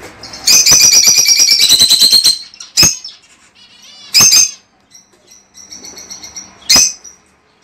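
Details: Lovebirds, sound said to encourage mating and breeding: a fast run of rapid, ringing chirps for about two seconds, then single piercing shrieks spaced a second or more apart, with faint high twitters in between.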